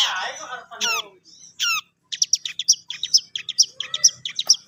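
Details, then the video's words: Long-tailed shrike, a young bird learning to sing, giving a brief harsh rasp and a few downward-sweeping whistles, then a fast run of sharp high chipping notes repeated about twice a second. "BELAJAR MAEN, BURUNG CENDET"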